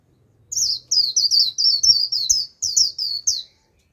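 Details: Japanese white-eye calling as a lure for a wild flock: about ten sharp, high, falling whistled notes delivered rapidly and unevenly, with a brief pause before the last few.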